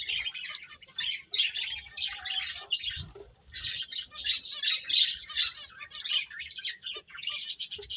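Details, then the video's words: Finches at play, several birds chirping in dense bursts of high, twittering notes, with short pauses near one and three seconds and faint low thumps underneath. "Cute Birds Chirping Sounds | Beautiful Finches Playing"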